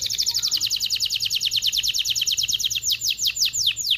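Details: Agitated canary singing to stimulate mating in males and females: a long run of quick descending high notes repeated steadily, slowing near the end into broader sweeping slurs.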